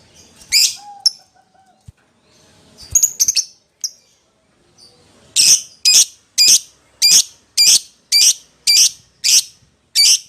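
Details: Lovebird calling out to a companion, opening with scattered sharp squawks and chirps, then a steady run of loud, harsh, high calls repeated roughly twice a second.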